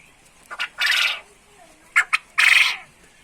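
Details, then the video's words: Male quail in the ceketer chattering style, trained until ready for hanging up. Short clicks, a harsh buzzy burst, then two sharp ticks and another loud, raspy burst. "burung puyuh gacor ceketer"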